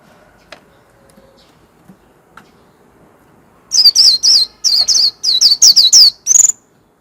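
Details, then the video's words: Warbling white-eye singing líu: after a few seconds of quiet with faint clicks, a burst of about a dozen high, thin, down-slurred whistles delivered rapidly in short clusters. "Chim vành khuyên líu hót - Tiếng chim vành khuyên"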